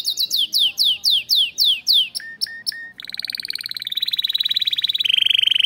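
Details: Canary in a breeding aviary, song said to excite its young: loud descending slurred whistles repeated in series, short clipped notes, then long rapid rolling trills at two pitches.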